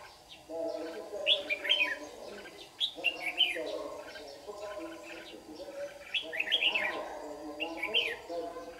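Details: Lure red-whiskered bulbul, white-cheeked form, singing its competitive dawn song during trapping in Đồng Nai, Vietnam, 26 June 2019; bouncy chirped phrases recur roughly every two seconds above a steady low humming background.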